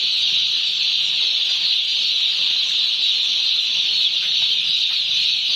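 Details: One-day-old chicks on a poultry farm fill the air with overlapping shrill chirps, a steady high chorus.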